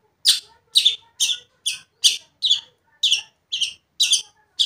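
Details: Long-tailed shrike singing to provoke another shrike, giving about ten harsh, buzzy notes at a brisk, fairly even pace of roughly two per second.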